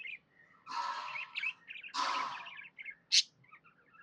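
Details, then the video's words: Happy budgerigar making harsh, drawn-out raspy chatters mixed with small twittering notes and one sharp, high squeak near the end. "Happy budgie chirping sounds"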